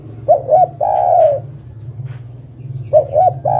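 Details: Female spotted dove calling the male with mellow hollow coos: two short clipped notes run into a long sustained coo. The phrase starts again after a pause of about two seconds, over a constant low hum.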